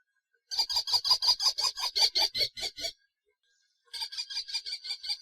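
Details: Rapid, shrill repeated 'kee-kee-kee' calls of a common kestrel: a run of about fourteen bright notes, a pause, then a second run of about seven, steady in pitch and rhythm over a silent background.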